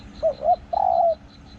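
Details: Decoy spotted dove with a small voice, its 'ku-kong' call said to resound through the forest; one phrase is heard: two quick hooting notes followed by a longer, steady coo, with a low hum underneath.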